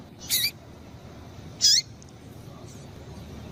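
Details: A female double-collared seedeater gives two brief, high, bright notes about a second apart, used to excite a male ('tui tui'), against faint background hiss.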